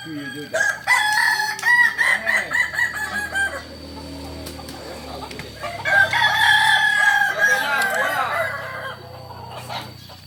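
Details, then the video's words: Kukuak Balenggek rooster, a native breed from Solok: two long drawn-out harmonic crows, each about three seconds, the first with a pulsing wavering tail, separated by a quieter stretch of background noise. "Ayam kukuak balenggek asli solok"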